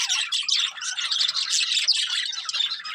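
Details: Breeding pair of colourful budgerigars producing nonstop busy chattering warble, scratchy and buzzy notes run together with quick twittering chirps, loud and steady throughout.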